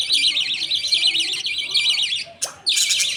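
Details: Budgies at feeding time, a father feeding his two chicks millet paste, the mother watching; one long trembling rasping buzz, a sharp click, then another short harsh burst.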